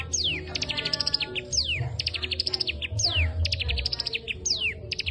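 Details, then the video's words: Cigun singing kapas tembak material: clear downward-sweeping whistles alternating with quick strings of bright, high chips, lively and nonstop, low hum beneath. "Cigun materi kapas tembak Gacor"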